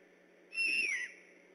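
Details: Great horned owl calling at night on alert beside an eagle nest in Decorah, 3 October 2015: one clear high whistle, steady and then gliding down at the end, about half a second, over faint background noise.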